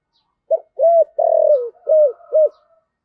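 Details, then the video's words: Thổ-voiced decoy spotted dove. It gives one smooth five-note coo phrase, low and rounded, with a drawn-out descending middle note and a short final hoot. "Chim Cu Mồi/ cu gay giong tho cuc dinh"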